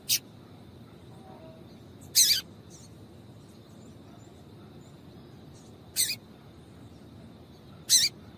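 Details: Female double-collared seedeater calling to excite a male: four short, sharp, high chirps spread irregularly through eight seconds, some slightly longer and buzzier, over a faint constant hiss.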